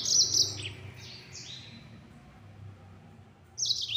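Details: Yellow-fronted canary in fast, full-speed 'nembak' song: a quick burst of high, bright trills and twitters, then a quiet pause of about two seconds, then a second high trilled burst. Faint low hum underneath.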